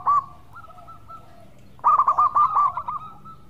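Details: Local zebra dove, melodious and in full voice, recorded as a lure to draw other birds into song: a brief loud rolling note, then soft sustained cooing tones, then a loud burst of quick pulsed, rolling coos that fade away.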